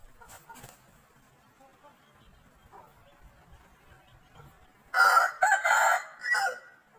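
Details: Aseel rooster crowing: after about five seconds of near quiet with faint scattered sounds, one hoarse, harsh crow breaks in and runs in three or four rough bursts of about one and a half seconds.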